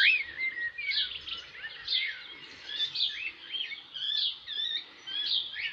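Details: Cockatiels playing and bathing outdoors in a yard in summer, in a makeshift pool; quick, high chirps and warbled twittering notes tumble over one another in bursts roughly every second, with no other clear sounds.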